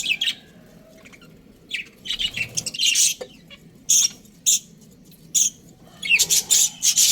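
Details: Chirps from a breeding pair of Australian budgerigars come in short, separate bursts. Sharp high tweets and brief scratchy notes are spaced by quiet gaps, clustering more tightly toward the end.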